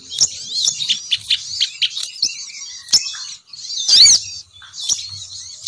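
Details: Female sogon bird luring males downward, giving a run of rapid high twittering notes that slows, then a louder sharp chirp cluster and more twitters.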